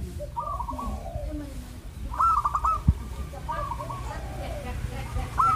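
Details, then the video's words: Several zebra doves in a recording played to coax other zebra doves into singing: stuttering, rapidly pulsed coo phrases at middle pitch, rising and falling, separated by short pauses, one sharp click near the middle and constant low background noise. "MASTERAN BURUNG ANGGUNAN || BIKIN PERKUTUT JADI RAJIN MANGGUNG"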